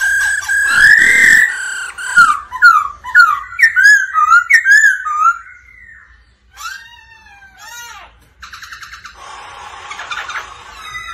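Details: White-cheeked laughingthrush, male spurred by a female's rolling 'ro ro' call, sings and dances. Bright slurred whistles are repeated rapidly at first, then come separated downward sweeps, ending in a harsh buzzy chatter.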